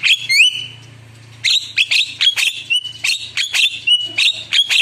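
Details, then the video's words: Javan myna in spirited gacor song packed with isian: an opening rising whistle, a pause, then a fast train of grating squawks mixed with short high whistles. "Spontan Emosi Suara Jalak Kebo Gacor Penuh Isian Mewah"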